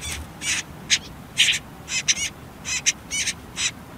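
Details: Whitethroat nestlings in a nest hidden among reeds and nettles near a river, on their last day there, utter dense rasping high chirps, some doubled, in an uneven rapid series.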